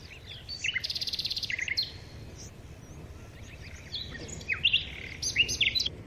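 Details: Red-vented bulbul chicks, very hungry, calling while their mother feeds them: rapid buzzy chatter of repeated pulses around the first two seconds, then bursts of harsh high notes near the end, with steady background noise.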